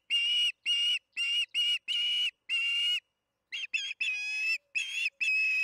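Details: Osprey at the Charlo nest during evening feeding, June 21, 2019, 8:15 pm MDT: six loud piping whistles in steady rhythm, a brief pause, then quicker, uneven chirps and a longer wavering note.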